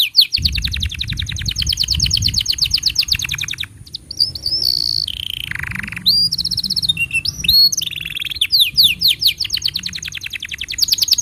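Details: Canary training song aimed at juvenile and silent canaries: long rapid trills of repeated notes, a pause, then sliding whistles and a lower buzzy tour before the fast trilling resumes.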